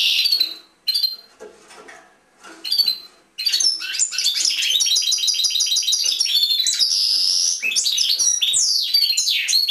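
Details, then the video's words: In a cage, a European goldfinch gives a few separate chirps, then launches into continuous song of quick twittering trills, a drawn-out harsh wheezy buzz and sweeping whistled slurs. "European Goldfinch Singing in Cage"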